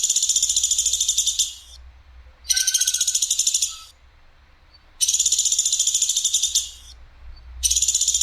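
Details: Platuk sampit woodpecker in a tutor recording, its clear voice firing coarse and sharp. Repeated high, dry, buzzy rattles, each about 1.5 seconds of fast pulses, with roughly a second of quiet between them.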